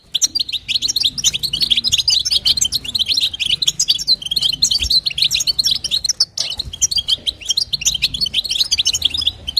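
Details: Female European goldfinch producing batbata and sastasa calls to stimulate a male. A long run of high, twittering chirps and liquid trills, one short break partway through, then the busy chatter continues.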